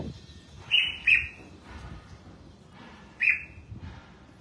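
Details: Red-whiskered bulbul being bathed and sunned, giving short bright notes: two quick ringing chirps close together, a pause, then a third about two seconds later, over a quiet background hum.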